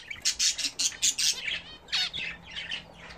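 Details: Domestic budgerigars bathing for the first time in a newly attached bath: a rapid burst of about six loud, harsh, noisy squawks, followed by rising chirps and scratchy chatter.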